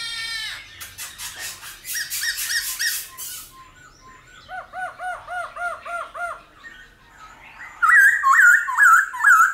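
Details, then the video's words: Many-voiced 'old forest' song of a Black-throated laughingthrush, played to train wild-caught birds: harsh rasping notes, a fast series of looping whistled notes stepping lower, then loud repeated slurred whistles. "Khướu Hót giọng GIÀ RỪNG - GIỌNG HAY - NHIỀU GIỌNG kích khướu bổi. luyện khướu bổi hót căng lửa"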